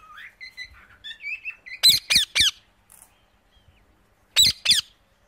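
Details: Parrot voice: soft warbling chirps at first, then three harsh, loud squawks in fast succession. After a pause, two more squawks follow.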